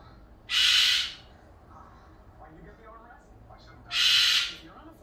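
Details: Two piercing, rasping screams from a pet Goffin's cockatoo, about 15 years old, in the middle of the day, separated by more than three seconds of near silence indoors.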